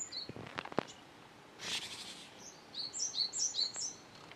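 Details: Japanese tit fledgling, out of the nest since the previous day, still in a nearby tree in the morning and fed by a parent, 5 July 2013, gives a burst of thin, high, rapid chirps in its final two seconds, after soft clicks and a brief fluttering rush.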